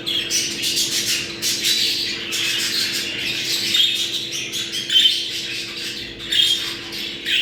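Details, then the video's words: Budgerigars chattering in a mating call meant to bring birds into breeding condition: busy, raspy warbles, clicks and thin whistled chirps tumbling together without pause, louder squawky bursts near the end, with a constant faint low hum. "Muhabbet kuşu kızıştırma sesi. Muhabbet kuşu çiftleşme sesi"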